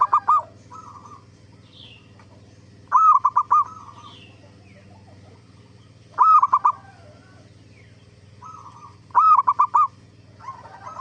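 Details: Zebra dove song played as a lure to make other zebra doves answer: four phrases about three seconds apart, each a quick rolling run of four or five clipped coos, with softer drawn-out cooing between and a steady low hum throughout.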